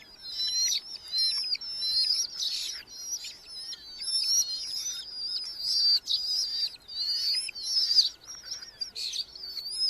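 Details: Red-footed falcons at a nest box in a large breeding colony in Hungary, July 10–12, 2025, with several growing chicks fed beetles by the parents: high, shrill, wavering calls almost without pause, rising in harsher bursts every second or so.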